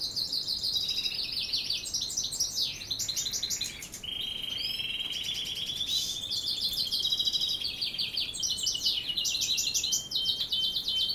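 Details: European goldfinch singing at dusk amid canary song: dense, continuous high twittering with rattling trills, a long sustained whistled note near the middle, and buzzy chattering runs throughout.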